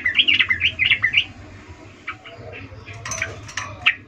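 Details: Sooty-headed bulbul female, in breeding condition, calling to a male in the ngecuplik style: a quick burst of bright, bouncing chirps lasting about a second. Then comes a noisy stretch with a low hum and a few scattered sharp clicks.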